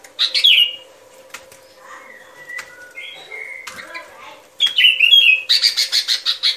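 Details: Sooty-headed bulbul song played as a trapping lure: a bright, slurred phrase dropping from high to mid pitch, quieter twittering notes in the middle, then a rapid pulsed chattering series near the end.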